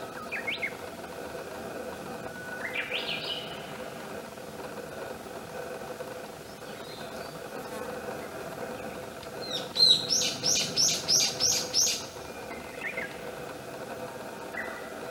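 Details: Young northern goshawk chick, part of a four-week record of nestlings from 2010: a rapid series of seven high, sharp repeated notes about three per second, preceded by scattered thin chirps over quiet outdoor background.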